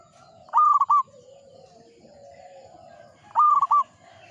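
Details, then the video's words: Actively singing local zebra dove repeating its coo phrase, a held note broken by short fluttering coos, twice about three seconds apart, with soft background murmur. "PERKUTUT lokal GACOR"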